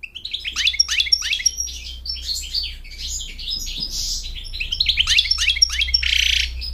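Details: Continuous lively twittering from an American goldfinch singing to a mate and to teach chicks, with many quick downslurred chirps and a few buzzy notes, a low hum underneath.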